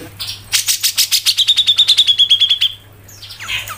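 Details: Grey-cheeked bulbul (cucak jenggot) 'ngepik rapet' phrase: about a dozen rapid, evenly spaced sharp notes merging into a high thin whistle, followed by a brief soft chirp, over a steady low hum.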